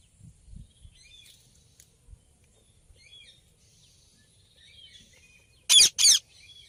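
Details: Ringneck parrot calling with two loud harsh screeches near the end after quiet faint chirps and soft low thumps.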